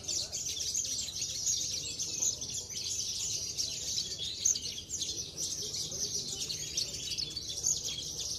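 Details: Javan bush lark (branjangan), a contest bird from Cilacap that often wins, singing a continuous, dense stream of high, rapid chirps and trills with no pause, over a low background hum.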